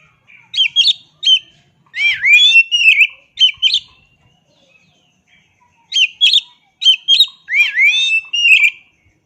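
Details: Oriental magpie-robin in full song, delivering rapid series of clear whistles and slurred rising notes in two long bouts divided by a short pause.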